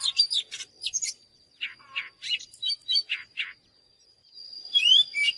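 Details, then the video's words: Oriental magpie-robin song of scattered short chirps and rasping notes in separate bursts, a pause, then a brighter whistled flourish, with a thin constant high tone underneath. "เสียงนกกางเขนบ้านหรือนกบินหลาขี้ควายใต้ [ Mới nhất ] Chòe than HÓT CỰC ĐÃ || Luyện chòe than hót gi"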